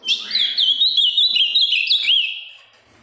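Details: Kept Ultramarine grosbeak from Minas Gerais, Brazil, big and strongly blue with a firm song, delivering a continuous quick phrase of loud, clear whistled notes sweeping up and down, fading out after about two and a half seconds.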